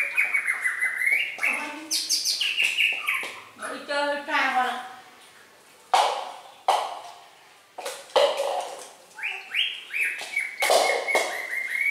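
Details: Red-whiskered bulbul singing in bursts of clear whistled and slurred notes, some rising, mixed with human speech and short loud clicks.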